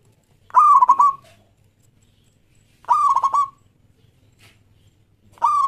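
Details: Local Zebra Dove singing vigorously, used to start other doves singing: loud, broken cooing phrases with a rolling, clipped rhythm, repeated about every two and a half seconds over a low hum.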